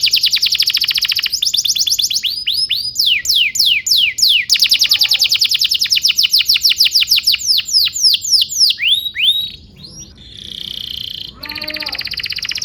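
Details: Canary song used to train young birds: rapid buzzy trills and long rolls of quick downward sweeps, shifting tempo between tours, ending in a softer sustained trill and a fresh bright roll.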